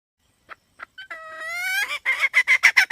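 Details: A hen starts with a few soft single clucks, then draws out a long rising, wavering note that breaks into rapid, loud, harsh clucks.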